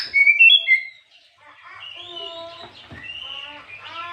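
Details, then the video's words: Oriental magpie-robin song used in the afternoon as a lure to provoke other magpie-robins: loud, clear whistled notes sliding up and down in the first second, then softer, nasal, harmonic phrases repeated rapidly. "Pancingan Terjitu burung kacer di sore hari"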